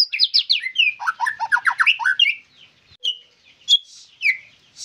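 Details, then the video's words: Caged white-rumped shama singing a rich, varied phrase: rapid repeated downslurred notes, then a fast run of buzzy trills, followed by scattered sharp chips and whistles with quiet gaps. "MURAI BATU GACORRR FULL DURASI"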